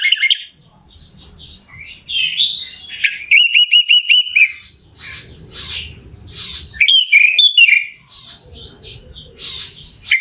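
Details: Orange-headed thrush song played as a lure to provoke another bird's emotion and make it sing; fast, varied warbling with buzzy high notes, a level whistled run, and quick chirpy bursts over faint low background noise.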